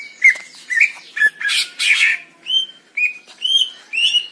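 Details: Wild greater green leafbird from Indonesia giving a short phrase of buzzy, harsh notes followed by clear, slightly rising whistles repeated about twice a second.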